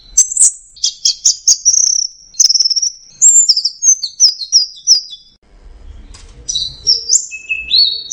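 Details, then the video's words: Anis merah teler song from an orange-headed thrush: a fast series of very high, thin, sliding whistles, a brief lull with low background rumble, then sweeping falling and rising notes. "Suara Burung Anis Merah Teler"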